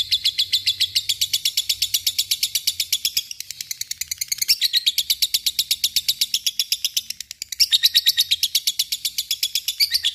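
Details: Fighter lovebird sustaining a long ngekek trill, a dense, high, buzzy chattering stream that dips briefly in loudness near the middle before surging back strong.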